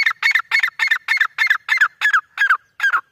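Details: Female grey francolin (teetar) calling: a fast series of harsh, honking two-part notes, about ten bursts in three seconds, steady pitch with slight slurs, clean background.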